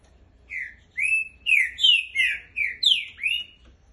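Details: Green-winged saltator song, one continuous phrase of about seven loud, clear whistled notes, each a short slurred glide, delivered quickly and steadily with little background noise.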